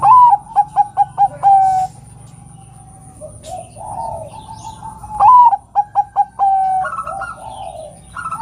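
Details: Calling female zebra dove, Bangkok type, urging males to sing: staccato cooing runs that open with an upslurred note and close with a sustained coo, heard twice, with softer chirps of other birds between phrases.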